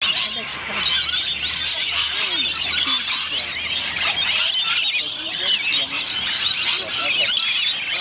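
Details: Rainbow lorikeets gathered for feeding; loud, overlapping high-pitched screeches and chattering squeals from a noisy group, with a faint low hum beneath.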